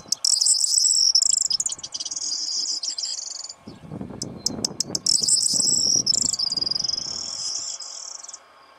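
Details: Corn bunting in breeding fervour circling and perching on a hide in the morning, shaking its wings while singing as a female comes close: two long, high, crackling jangling song bursts separated by low fluttering wing noise and sharp clicks.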